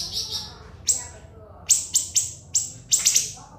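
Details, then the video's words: [['Shrill siri-siri masteran song: a buzzy opening trill, a pause, then a string of crisp high falling notes, some doubled, with a light low murmur in the background.']] "MASTERAN BURUNG SIRI-SIRI NGEBREN SUPER PEDAS TEMBAKAN TAJAM & SUPER PANJANG"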